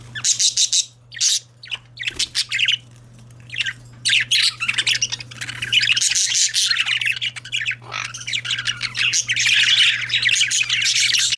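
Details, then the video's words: Male budgerigars chattering indoors, a dense stream of scratchy warbled notes and squawky bursts, nearly continuous after a few stop-start phrases at first, over a steady low electrical hum. "Male Budgies/Parakeets"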